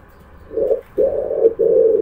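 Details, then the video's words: Three low pigeon coos: a short first note, then two longer ones almost run together. "pigeon sound"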